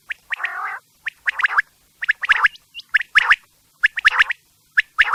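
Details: Quail calling at night: sharp, clipped notes in quick triplets mixed with short nasal, buzzy bursts, the groups coming roughly once a second over a quiet background.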